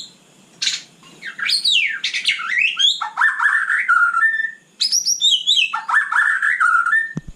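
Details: At night a white-rumped shama sings long varied phrases: steep rising and falling whistles flowing into lower warbled notes, a brief pause, then a similar phrase ending on a sharp click.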